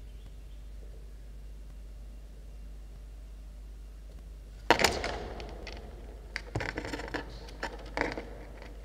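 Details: Near-silence for nearly five seconds, then a burst of rustling, scraping and knocking thumps with scattered clicks until the end.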